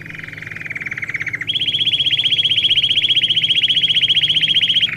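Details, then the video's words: Domestic canary song intended for training young birds: a lower buzzy rolling trill gives way to a fast, very even higher trill of rapidly repeated notes that holds for several seconds. "Canário Do Rei Canto Lindo Para Filhotes Em Treinamento"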